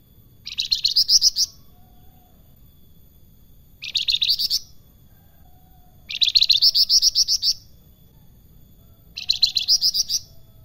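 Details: Actively singing salakan delivering four loud, high-pitched phrases of rapid buzzy trills, each about a second long and repeated every two to three seconds, over a quiet low background hum.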